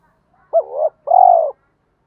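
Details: Lure call of a decoy spotted dove for provoking males: two drawn-out, low, hoarse coos, the first wavering, the second steady and buzzing, separated by a short pause.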